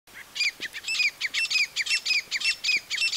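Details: Female grey francolin, known locally as teetar, calling in a rapid run of sharp, high, squeaky notes. Each note ends in a short downslurred whistle, about ten notes in three seconds in a steady rhythm, with faint background hiss.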